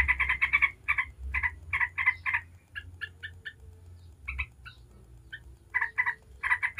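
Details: Yellow-vented bulbul in 'ngebren' song, used as a lure to make other bulbuls answer. Bubbly chattering phrases open and close the passage, with sparser, thinner single notes in the middle and a low background hum.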